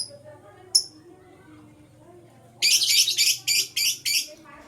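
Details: Morning chirping from blue and green lovebirds: a single sharp high chip, then a rapid run of six harsh, rasping chirps about a quarter second apart, over a low steady hum.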